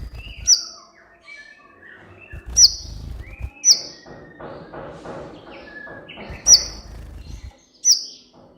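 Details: Van Hasselt's sunbird (kolibri ninja) in a lively master recording meant to train and lure quiet captive birds: five piercing high chips at uneven intervals, with thin, wavering whistled phrases between them and bursts of low thudding noise.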